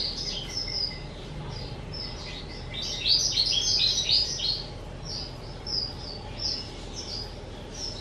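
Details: Two-year-old pet skylark recorded on 18 April 2023, giving scattered high chirps, then a dense twittering burst around the middle and short sharp phrases toward the end, over a low background hiss.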